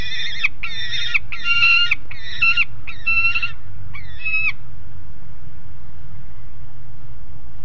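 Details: A noisy juvenile peregrine falcon on a grate at Alphen aan de Rijn, 30 July 2016 around 12:30, gives six harsh, wailing half-second notes in quick succession before stopping, over a low rumble of wind or traffic.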